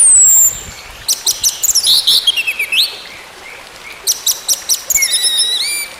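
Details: Orange-headed thrush singing, a recording meant to restart a bird that has stopped singing. Short bursts of high chirps and rising and falling whistled slurs, a quiet pause, then more quick varied notes.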